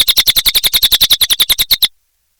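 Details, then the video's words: Energetic (gacor) song of a cililin bird: a rapid series of bright, high clipped notes, roughly eight per second, running steadily for under two seconds before stopping. "Suara Burung Cililin Gacor Durasi Panjang"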